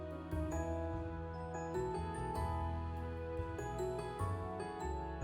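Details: Soft, gentle instrumental background music with sustained tones and light plucked notes runs throughout, with no animal calls audible.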